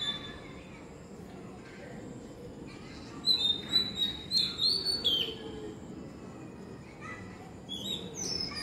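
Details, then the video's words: An Oriental magpie-robin sings in the evening rather than its usual morning, a short burst of clear, high whistled notes with sliding upward phrases, over a low steady background hum. "Robin🐦 singing a beautiful tune | Magpie Robin"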